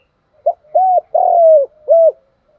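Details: Spotted dove giving a single clear phrase, used to train decoy birds. A short note is followed by an arched coo, a long drawn-out gently falling coo and a closing arched coo. The background is quiet.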